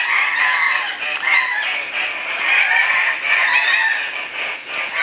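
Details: Male Andean cocks-of-the-rock in full display at a morning lek near Pacto Sumaco, Napo, Ecuador, 15 February 2015: a dense, overlapping chorus of harsh squawking and grunting calls given almost without pause.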